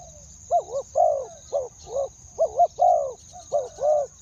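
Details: Decoy spotted dove calling to lure wild doves, in the two-word kuu-ang style: deep, hoarse coos in short groups, paired quick notes followed by a longer drawn-out coo, repeated irregularly, with a steady faint high hiss behind.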